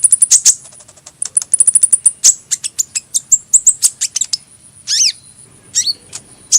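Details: Hummingbird song of rapid, very high chips in quick bursts, tapering into spaced squeaks, with a couple of lower twisting, scratchy notes near the end.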